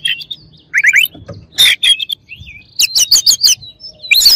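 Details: Agitating song of an Oriental magpie-robin: rapid rolling notes, loud buzzy bursts, a slurred warble, then a string of quick high chirps repeated several times.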